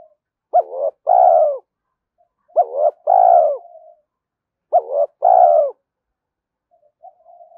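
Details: Spotted dove coo played to stir and train decoy birds: three low phrases, roughly two seconds apart, each a quick rising note, a short hoot and a long falling coo, with faint soft hums between.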